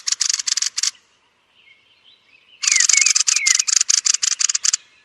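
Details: A thrush at its roost gives short harsh clicking rattles, a quiet gap with faint thin notes, then a longer run of loud buzzy chacks about four per second.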